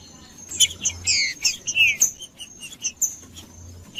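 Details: Green-winged saltator in 'macheando' song, used to warm up other birds: loud, clear downslurred whistles and short bright notes in quick bursts, with a faint steady high-pitched tone in the background.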